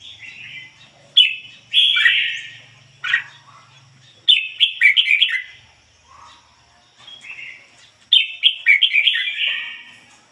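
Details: Red-whiskered bulbul decoy bird in a cage, delivering ngoi bổi style song. It gives rapid runs of warbled, slurred whistles in bursts several seconds apart, with a faint low hum early on.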